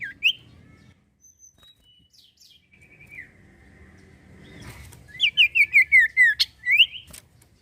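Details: Sirtu cipoh, the common iora, singing to provoke other birds into song: scattered thin whistles and a drawn-out falling note, then a quick burst of trilled, wavering phrases descending in pitch, with faint rustling.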